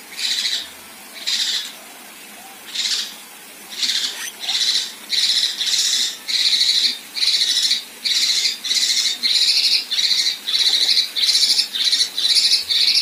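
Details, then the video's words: Female Kinoi producing rough 'tembakan kasar' phrases: at first the harsh, noisy bursts come sparsely, then they speed up into a dense, steady series of about a dozen grating rasps. "Besetan Dan Tembakan Kasar Kinoi Betina"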